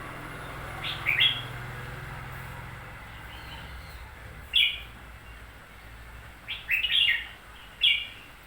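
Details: Red-whiskered bulbul, freshly bought, singing scattered brief bright phrases of clipped whistled notes, some in quick pairs, with a low steady hum behind.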